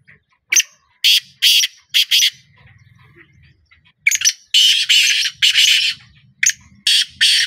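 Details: Black francolin giving harsh, grating broadband notes in two phrases: a stuttered run of five short rasps, a pause with faint low rumble, then a longer series of loud scratchy bursts spaced roughly half a second apart.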